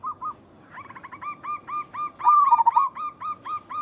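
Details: Local zebra dove lure call meant to make other zebra doves reply. A few soft notes, then a fast, even series of about four coos per second, with a louder warbling trill in the middle.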